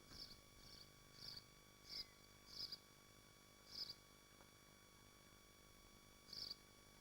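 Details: Short, high, buzzy screams, unevenly spaced about every half second to a second, come from nesting swifts at Machynlleth in the Dyfi Biosphere, Wales. A quiet electrical hum runs underneath.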